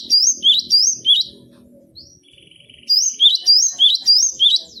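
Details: Cinereous tit (gelatik batu) singing for cage-bird training: loud high two-note whistled phrases, rising then dropping, repeated fast in two runs split by a short gap with a soft faint tone.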